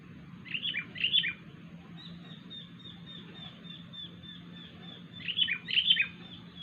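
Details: Wild sooty-headed bulbul giving what is described as a strange sound: two quick bursts of bubbly, chirping notes near the start and another pair near the end, with a faint run of thin high notes between them and a low steady hum beneath.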